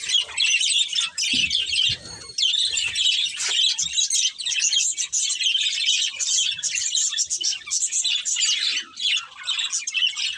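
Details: Budgerigars, a breeding pair, chirping continuously in dense, overlapping warbled chatter of rapid high twitters and squeaks, nearly unbroken over ten seconds with brief dips around the one- and nine-second marks; faint low thumps beneath.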